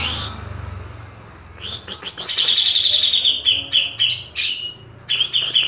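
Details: Grey-cheeked bulbul kept in a cage gives rapid high twittering song: quick trilled runs, sharp whistled notes and clipped chirps in uneven bursts, with a faint low hum underneath.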